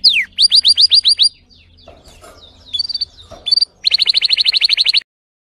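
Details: Fierce, powerful song of a Timbrado canary: a run of quick, high, falling notes, soft chatter and scattered whistles, then a long, rapid trill of repeated bright notes before silence.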